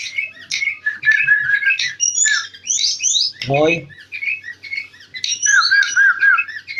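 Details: Sooty-headed bulbul singing nonstop: dense jumble of liquid warbled and chattering notes, a harsh rasping squawk in the middle, then more rapid whistled phrases.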